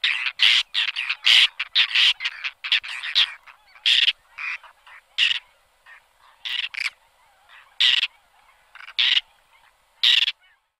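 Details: Whiskered tern (Chlidonias hybrida) gives harsh, rasping, croak-like calls, dense and overlapping at first, then single grating notes about once a second.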